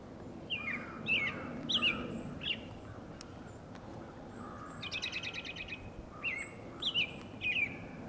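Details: American robin interacting with a second robin, possibly flirting: quick whistled, wavering notes in clusters, with a rapid buzzy trilled burst in the middle, then more inflected whistles over light background noise.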